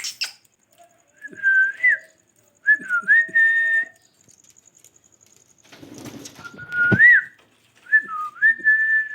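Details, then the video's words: Pet parrot repeating a short whistled phrase with a small upward hook and a held note, heard four times, with a thud and room noise in the middle. "My Favorite parrots Talking amazing sounds different voices of parrots"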